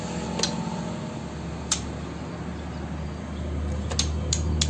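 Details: Low electrical hum runs throughout indoors, broken by a few sharp clicks and knocks, with no bird or other animal voice.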